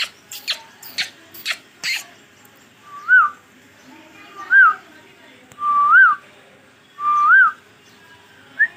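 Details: A talking pet green ringneck (rose-ringed parakeet) gives four clear whistled phrases, each rising then dipping, about every 1.4 seconds, after a burst of sharp clicks and taps.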